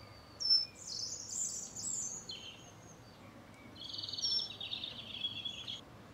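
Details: In a garden visited by a mistle thrush family of two parents and three juveniles, a mistle thrush gives two long, dry, harsh rattling calls of about two seconds each, each after a brief sharp note, over faint hiss.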